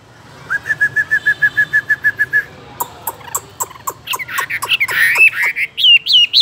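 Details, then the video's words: Caged Chinese hwamei song: a steady series of about fifteen evenly spaced whistled notes, then sharp clicking notes and a burst of loud, twisting whistles at the end. "Làm thế nào để nuôi được chú họa mi hót như này"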